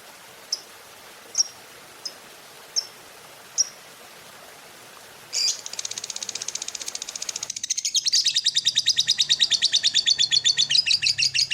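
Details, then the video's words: Lovebird in a morning stimulus recording for other lovebirds: a few sharp, spaced chirps open the clip, then a rapid, high pulsed chatter starts and grows louder and steadier to the end. "SUARA PEMACU Ini Bikin Love Bird Ngeroll & Ngekek Ganas!"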